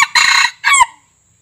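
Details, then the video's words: A white-eared red junglefowl, used as a lure sound, gives a short, clipped crow: a harsh, rasping first phrase, then a brief second note that rises and drops away abruptly. "Suara pikat ayam hutan kuping putih"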